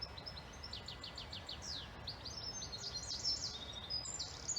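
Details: European goldfinches among many birds singing on a rural patch in spring, with bright rapid twittering of high tinkling notes and quick descending slurred chirps in a busy run, over soft outdoor background noise.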